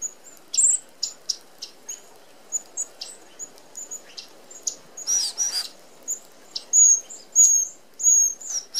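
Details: Red-browed finches, an Australian native, feeding as a flock at an open aviary feeder that excludes sparrows; thin high piping calls from several birds, short and irregular, overlapping, with a brief burst of wing whirring near the middle.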